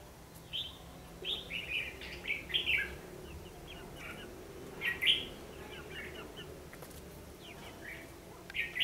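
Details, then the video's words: Trapping session with a red-whiskered bulbul fighting song as lure, 14 December 2015; clusters of quick chirpy whistles early on and again around five seconds, separated by quieter gaps. "Bẫy đấu chim chào mào"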